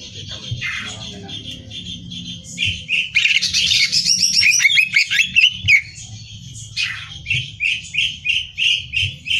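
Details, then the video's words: Greater green leafbird, caged, singing a hyperactive competition-style song used to train other birds: varied loud chatter and whistles, a dense burst of rapid trills midway, then a string of repeated short whistled notes. "Cucak Hijau Gacor Hiper Ampuh Buat Bahan Lomba"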